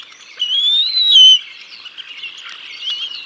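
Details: Bald eagles on their Decorah North nest on 6 May 2022 during a fish feeding of the chicks: one long, high, whistled note that rises slowly, then faint softer chatter.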